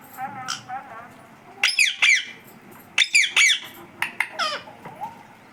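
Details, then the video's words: Non-stop talking pet parrot (tota) saying "Mummy": repeated pairs of loud, rasping, harmonic syllables with swooping pitch, about three bursts over several seconds, plus softer squeaks. "Mummy bolne wala tota"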